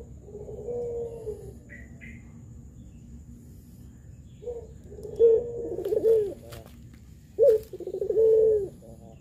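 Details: Spotted dove, a local pelung-type lure bird used to get quiet or young doves calling, giving repeated rolling coos with trilled middle sections and long hoots, a brief high chirp from another bird, and some clicking noises.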